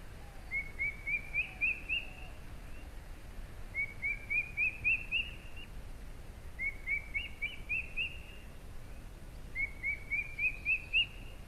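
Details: A Fork-tailed drongo-cuckoo, a summer migrant in central India whose call resembles a crested hawk-eagle's, gives runs of five or six whistled notes stepping upward in pitch, each run about two seconds long, repeated every three seconds over faint hiss.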